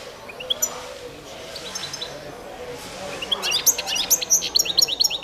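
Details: Goldfinch of the Balkan subspecies, Carduelis carduelis balcanica, entered in a world championship song contest: soft high notes at first, then an energetic rush of rapid sharp twittering chirps toward the end.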